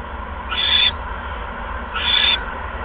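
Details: An owl nest on 16 February 2015 at 8:38 PM while an adult brings in a second mouse; two rasping, breathy screeches about one and a half seconds apart, with constant low background hum.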